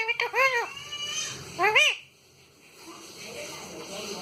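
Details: Talking parrot producing clear, speech-like, arched tonal syllables, two short phrases within two seconds, followed by quiet room noise.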